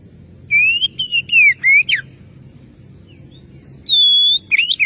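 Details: Calling to challenge a rival, an Oriental magpie-robin sings a phrase of five or six sweeping whistles, falls silent, then gives one long level whistle followed by short twisting notes.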